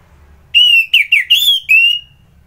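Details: ['Morning song of an orange-headed thrush (anis merah) in Singaraja, Bali: a sustained sweet whistle, a few fast twisting notes and a final long whistle that fades off, clean with little background.']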